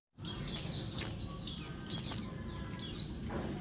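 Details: Female Oriental white-eye calling noisily, used to provoke males into singing: high, harsh descending squeaky notes in bursts of two or three, repeated roughly every half second to second.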